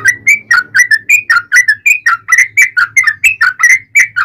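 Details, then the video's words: Rapid, unbroken run of bright warbled whistles from a yellow-vented bulbul, played as a trigger for other bulbuls to reply; notes slur up and down, about four per second, with a faint low hum beneath. "trucukan gacor ROPEL PANJANG pancingan trucukan agar bunyi"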